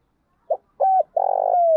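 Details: Spotted dove call used to train decoy birds for trapping: a short soft note, a level coo that dips at its end, then a long, slightly rolling coo that glides gently downward, in a quiet setting.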